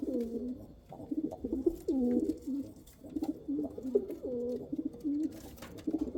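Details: A steady run of looping pigeon coos, each a low rolling phrase that rises and dips, follows almost without a break for six seconds.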